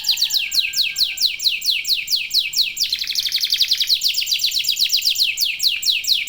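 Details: Local domestic canary singing in full, intense form, used as a lure to get other canaries singing: rapid high downward-sweeping notes repeated steadily, switching midway to a tighter, faster trill.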